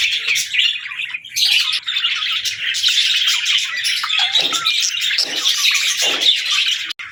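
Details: Several budgerigars sing in continuous chirping chatter. A few lower, hoarse squawks stand out near the end.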